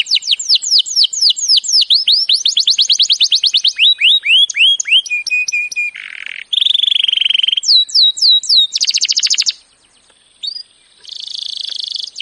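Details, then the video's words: Canary training song in varied phrases: fast descending trills, hooked whistles, steady piping notes, harsh buzzes and rolling trills separated by brief pauses, with a short near-silent gap late on. "Birds song Canary ❗suara Burung Kenari !!"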